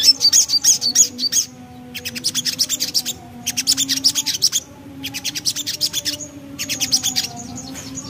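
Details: Javan black-capped babbler, known locally as sogok ontong, in ngriwik song: four bursts of quick, buzzy, high chattering notes, a little over three per second, separated by short silences, over a low steady hum.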